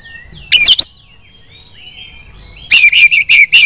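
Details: Female Oriental magpie-robin, kept bird, singing to call other magpie-robins into song: a short burst of sharp high whistled notes, a quiet pause of about two seconds, then a run of five loud clipped whistles.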